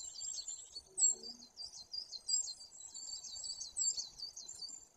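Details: Great tit at a live nature camera in Bory Tucholskie, Poland, 2 September 2022, seeming to address the viewers: a faint, continuous series of thin, very high, rapidly repeated notes, with a few lower soft notes near the start.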